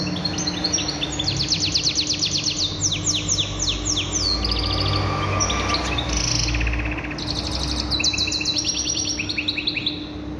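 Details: Canary singing goldfinch-style song: bursts of rapid, high, ticking trills and clipped slurred notes, broken by brief pauses, over a constant low hum and background hiss.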